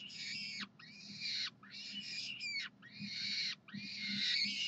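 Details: University of Calgary peregrine falcons calling for food, Saturday morning, 9 June 2012: a run of long, harsh, buzzy screams with brief gaps between them, one thin squeal partway through, over a low steady hum.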